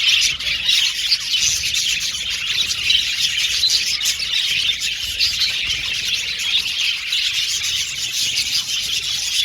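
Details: Budgie colony of male violet birds in an aviary producing steady high-pitched chirping chatter, overlapping warbles and clicks throughout.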